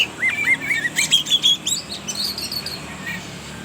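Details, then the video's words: Oriental magpie-robin, spotted kacer trotol form, singing as a lure to prompt young birds to sing: a quick series of short rising whistles, then higher clear whistled notes and fading twittering phrases. "Pancingan suara Kacer trotol BIKIN KACER NGEPLAY"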